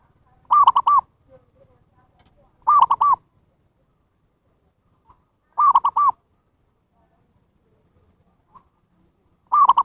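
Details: Zebra dove lure call for wild birds: four short phrases, each of three quick arching coos, spaced two to three seconds apart in otherwise quiet surroundings.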